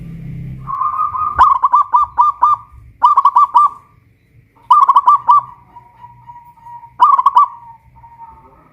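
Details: Singing zebra dove, local Pajajaran strain, kept in a cage hoisted up a pole in Kuningan, West Java: four phrases of rapid, warbling coos, each ending in a drawn-out tone, about every one and a half seconds.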